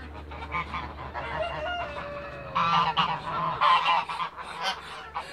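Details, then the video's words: Toulouse geese flying and feeding in a backyard: scattered loud nasal honks in bursts, some drawn-out descending notes, then a cluster of strong calls in the second half over a low background hum. "TOULOUSE GEESE FLY AND FEEDING IN THE BACKYARD"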